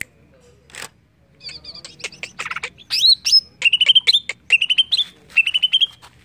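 A greater green leafbird sings a lively, high-pitched medley: dry ticks and chatter, then bright rising whistled phrases repeated roughly once a second.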